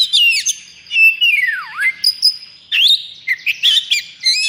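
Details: Caged Oriental magpie-robin, aggressive and in breeding condition, gives quick chirps, a long falling-then-rising swooped whistle, and a busy finish of fast high notes.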